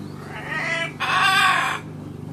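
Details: Pet macaw gives two harsh, raspy, voice-like bursts, the second longer and louder, each under a second, while talking and laughing, calling for grandpa.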